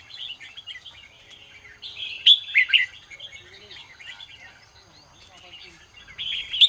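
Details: Morning song of a red-whiskered bulbul, used for training other bulbuls: soft twittering builds into a loud burst of sharp whistled notes around the middle, then quieter chatter and a final strong phrase.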